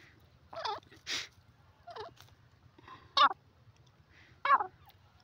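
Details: Desi teetar (francolin) calling: a short series of separate harsh, bouncing notes with rising and falling inflections, each under half a second, spaced irregularly about a second apart, over a low steady hum.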